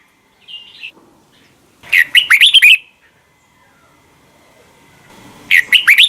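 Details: Red-whiskered bulbul morning song used to train bulbuls, rich 'double note' wild-style singing: two bursts of rapid, warbled whistled phrases, each under a second, sliding up and down, separated by quiet gap.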